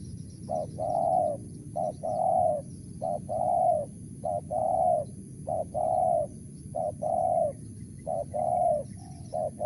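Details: Steady series from a spotted dove in the Mersik, Tukang Keliling style, about eight short-long coo couplets at a regular pace, soft and low-pitched, background rumble throughout.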